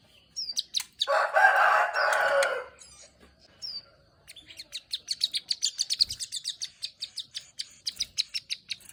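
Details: Plain prinia (ciblek sawah) in ngeriwik song with clicks: a few high ticks, a loud rough broadband rush for two seconds, then a fast, sustained run of high clicking notes with a buzzy trill.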